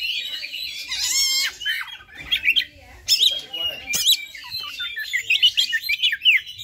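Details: Oriental magpie-robin giving fighter song to stir up other magpie-robins, loud harsh squawky phrases and quick looping whistled notes in bursts, with sharp clicks between phrases.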